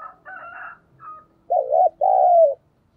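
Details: ['Spotted dove used as a lure to make wild doves coo: a brief, higher, rough call opens, then a low two-part coo, a wavering note followed by a longer, gently falling one.']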